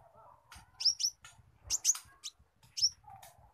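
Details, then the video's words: Brown-throated sunbird of the spotted form singing squirrel-imitation phrases: paired high slurred whistles repeated about once a second, with faint buzzy notes and low hum beneath. "KONIN trotol isian tupai"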